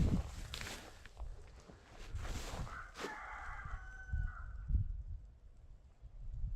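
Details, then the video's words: Rooster crowing at a bison ranch on a freezing winter day, a single drawn-out crow with a sustained ending, over low rumbling wind and handling noise. "Hear that dumb rooster."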